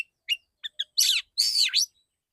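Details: Clear, open-voiced song from a male oriental magpie-robin in the shot-like 'dor dor tembakan' style: a few quick clipped chirps followed by two long, loud, rich warbled phrases that swoop down and back up.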